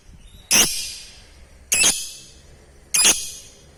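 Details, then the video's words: Lovebird giving a call meant to stir other lovebirds into responding and chattering: three harsh, grating shrieks, each about a second apart, with quiet between them. "Panggilan burung ini manjur bikin lovebird cepat respon dan ngekek"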